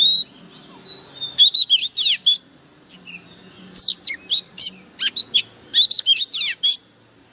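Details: Oriental magpie-robin decoy bird singing very harshly: three rapid bursts of crisp, clipped, high chirping whistles, each a cluster of quick notes, separated by short pauses with faint background noise.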